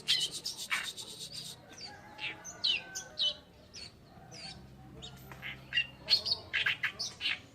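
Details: Oriental reed warbler (kerakbasi alis putih) singing in a masteran recording: harsh, scratchy, chattering high-pitched bursts in uneven phrases, roughly two notes each second, over a faint low hum.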